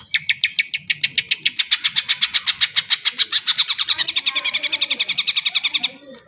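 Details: Singing greater green leafbird, used to prompt birds that have not yet sung: a long, steady stream of rapid, regularly repeated metallic notes that grows louder and denser before stopping abruptly.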